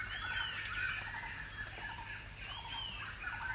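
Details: Scaly-breasted Partridge feeding and drinking in forest during the rainy season gives clear, arched whistled notes that rise and fall, in two quick bursts about two seconds apart, over a steady low hum.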